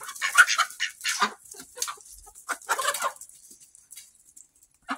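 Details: Mixed barn flock of chickens, hens and roosters of many breeds, with ducks present, on 26 August 2023; several birds cluck and squawk in short, uneven overlapping bursts, with quiet gaps between louder outbursts.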